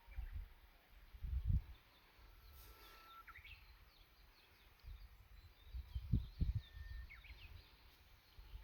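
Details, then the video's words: Wild birds singing in Katsuragi, Wakayama, Japan, in May 2022: scattered faint whistled notes, a steady drawn-out whistle and quick rising chirps spread through the recording, over a low rumbling background with occasional thumps. "鳥のさえずり 2022年５月和歌山県かつらぎにて"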